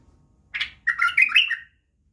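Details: Brief white-eared bulbul song for tutoring chicks: one sharp note, then a rolling, slurred warble lasting under a second.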